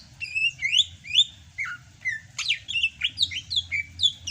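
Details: Sumatran greater green leafbird still singing energetically in the rainy season: a dense, continuous stream of sweet whistles, sharp upslurs and downslurs, varied and jumbled, with notes coming several per second.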